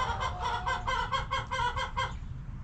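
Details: Backyard hens at their coop giving a rapid series of about ten harmonic clucks, evenly spaced and rich, ending abruptly, over a low steady background rumble.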